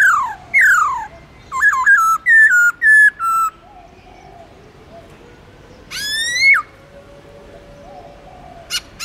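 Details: Black-throated laughingthrush (Garrulax chinensis), a kept songbird used to stimulate newly caught birds to sing, sings loud, clear whistled phrases: sharply falling slurs, a run of quick stepped notes, then a long rising whistle, over faint background hiss.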